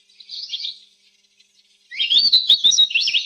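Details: Domestic canary song: a brief soft twitter, a second of silence, then a loud rising burst of rapid high chirps and trills.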